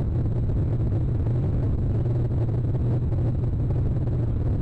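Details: A steady, loud engine-like drone with a low hum runs without a break, and no animal voices are heard.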